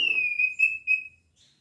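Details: An orange-headed thrush in 'gacor teler' song, full material: one long, pure, level whistle, pulsing gently in loudness and ending after about a second, followed by a faint soft note.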